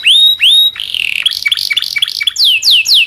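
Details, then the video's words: Local canary song used to tutor songbirds like white-rumped shama and magpie-robin: two long rising whistles, a quick run of buzzy chips, then sweeping downslurred whistles. "kenari lokal panjang dan roll masteran burung murai"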